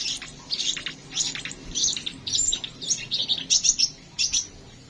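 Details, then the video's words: Crimson sunbird singing energetically: a thin, high, rapid twittering song of sharp chips and short trills, delivered in quick bursts with brief pauses. "Burung Kolibri Sepah Raja gacor"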